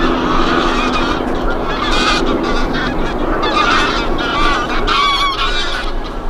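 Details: A flock of geese on snowy winter fields by the Kromme Rijn, Netherlands, in December honks continuously, many harsh, nasal calls overlapping at a steady busy pace, with a low rumble of background noise.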